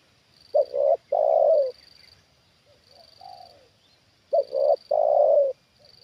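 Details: Trained spotted dove, a decoy bird, reacting to a wild bird brought down for the second time. Two loud low coo phrases, each a short note then a long rolling coo, about four seconds apart. A softer coo falls between them, and a faint high whine pulses behind.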